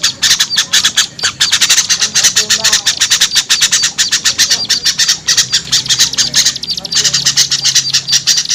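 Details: Lure recording of small birds, used to attract small birds: continuous high-pitched chattering made of quick, dry chip notes packed closely together, briefly thinning near the seventh second, over a soft low drone.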